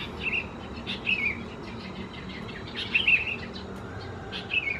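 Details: Sooty-headed Bulbul young at Khao Yoi, Phetchaburi, Thailand, June 2020: a series of four short scratchy chirps at irregular intervals of about a second, the third louder and buzzier.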